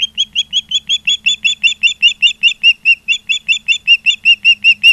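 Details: Osprey calling at its nest in Charlo, Montana, filmed by a live nest camera on 16 September 2023 in the afternoon. A steady, unbroken string of shrill chirped whistles runs throughout, about two to three notes each second.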